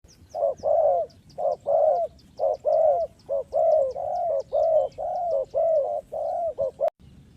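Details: Spotted dove calling, used as a lure for trapping: a fast, steady run of mellow, low cooing notes, short and long notes alternating about once a second without pause, with faint high chirps from other birds behind.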